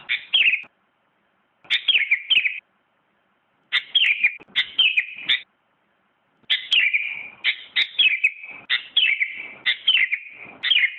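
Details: Song of a sooty-headed bulbul that took first place in a 2017 contest: short bursts of chirpy, slurred whistles separated by pauses of about a second, then a longer lively run of phrases near the end.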